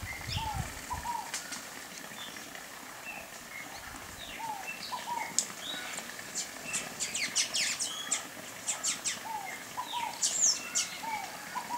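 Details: Sayaca tanager, also called Sanhaço-cinzento, singing a run of bright, sharp high chirps and squeaky notes that cluster in the second half. Faint, lower arched notes repeat throughout, over soft outdoor background noise.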